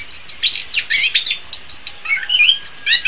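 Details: Orange-headed thrush song meant for training songbirds: fast, jumbled sequence of high chirps and whistles, almost continuous, with slurred notes near the end.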